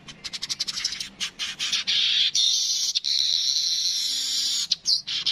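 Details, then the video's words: Streaked weaver, called manyar kepala kuning, used as a tutor recording for songbirds: fast ticking notes accelerating into a sustained harsh, sizzling buzz that runs for several seconds. "Burung Manyar kepala kuning suara asli"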